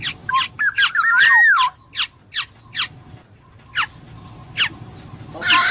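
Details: Black-naped oriole giving a fluty, liquid whistled phrase that rises and falls around the middle of the clip, among sharp, descending chip notes repeated about every half second.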